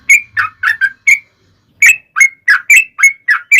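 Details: Yellow-vented bulbul song used as a lure to get other bulbuls singing: short bubbly, liquid whistled phrases in quick bursts, a brief pause after the fifth, then another run of similar gurgling notes.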